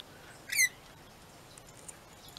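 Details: Pet rainbow lorikeets kept at home: one short, harsh, buzzy squawk with a strong ringing overtone stack, sliding slightly downward, then near silence with a few faint distant chirps.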